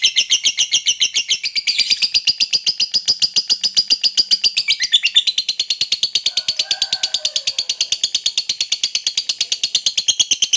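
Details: Long ngekek song of a lovebird, played to get other birds singing: an unbroken, rapid, high-pitched rattling trill of even clicks that runs the whole time, about ten pulses per second, briefly dipping lower midway.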